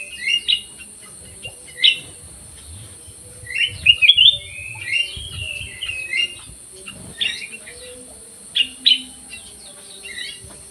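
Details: Aviary black-crested bulbul in full song, giving scattered bright chirps and short warbled runs, the longest fluttering phrase near four seconds, separated by brief silences over a soft background hiss.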